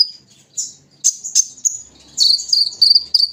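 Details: Sunbird known as kolibri ninja, caged and set out in the morning dew: scattered high chirps after a quiet start, building into a dense, shrill chattering twitter toward the end.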